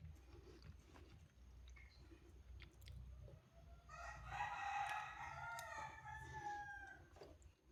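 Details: Rooster crowing on a cool morning: after quiet background rustling, one long, harmonic crow rises and then holds for about three seconds before fading.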